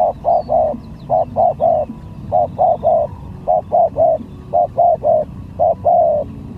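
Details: Spotted dove lure bird singing steadily during a luring skill contest: a run of six phrases, each two short coos and a longer hollow note, roughly every second, faint chirps behind.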